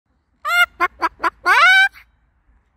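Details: Pet Moluccan cockatoo at a park in summer making joyful sounds: a burst of short nasal, harmonic clucks, four quick notes, then a longer drawn-out squawky note, all in a quiet setting.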